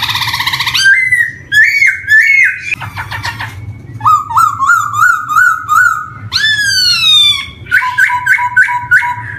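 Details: Varied song of a black-throated laughingthrush, known locally as poksay hitam, on a lure recording for young singers: rapid trills, stepped whistles, a long falling slur, then quick paired notes repeated four times.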